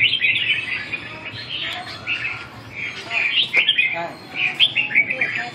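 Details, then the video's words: Red-whiskered bulbul (chào mào) at a training session on 2 June 2012, giving repeated short warbling phrases of chirpy notes with brief gaps, plus a few sharp clicks and faint background noise. "dợt cm 2/6/2012 v2"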